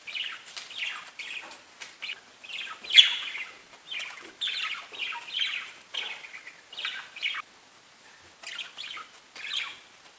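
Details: Several pet budgies chirping: a steady scatter of quick high tweets and short warbled bursts, loose and overlapping, with brief pauses between flurries.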